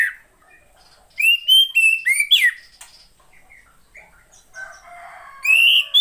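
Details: Caged female Oriental magpie-robin heard to lure males into song: a burst of five loud whistled notes, flat and swooping, followed by quieter scattered chirps and faint background chatter before another loud rising note.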